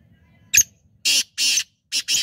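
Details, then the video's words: A Black francolin gives a sharp click, then four harsh, grating, buzzy notes in quick succession, the last two close together. "Kala teetar pure shidi teetar Sound Black Francolin Voice Kaly Teetar Awaz Sindhi Teetar Awaz"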